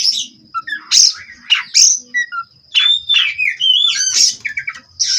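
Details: Captive-bred Oriental magpie-robin of Cirebon lineage singing a varied song of loud high whistles, harsh buzzy bursts and short chirps, with a thin steady high tone running behind.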